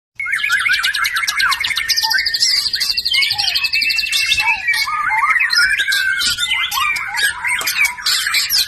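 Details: White-rumped shama, a captive-bred F1 bird, singing a varied, rich song: rapid mixed phrases of whistles, chattering notes and warbled slurs, continuous and loud throughout.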